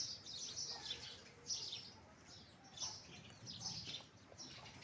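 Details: Chirping house sparrow: clear, high, sharp chirps delivered in rapid clusters about every half second to second, fairly clean with light background noise.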